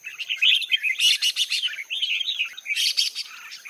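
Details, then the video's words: Red-whiskered bulbul female calling to rouse males into song, giving rapid overlapping chirps and warbles, with several loud harsh bursts and fluttering phrases in quick succession. "Chào Mào Mái Kích Trống"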